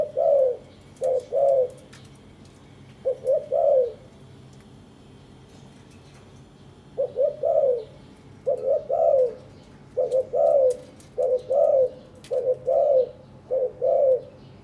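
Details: Spotted dove from a captive breeding pair, courting, preening one another and nesting; repeated phrases of two short coos plus a longer falling coo, with a pause mid-way and then phrases about every second, light clicks behind.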